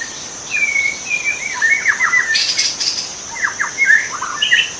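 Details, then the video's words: Song of a wild white-rumped shama in its habitat: level whistles followed by quick cascades of downward-sliding notes, a loud rustle in the middle, insects droning steadily throughout. "kicau murai batu di alam liar"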